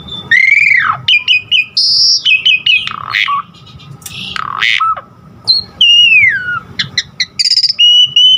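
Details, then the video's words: Asian pied starling song, used to prompt caged starlings to sing actively, with a varied filler of other song sounds. Loud, rich phrases mix clear whistles, sweeping downslurred notes, short repeated chirps and harsh buzzy squawks in quick succession, with a steady mid-pitched tone underneath. "Pancingan Jalak Suren GACOR Isian Variasi Suara Burung Masteran Burung Jalak Agar GACOR Full Isian"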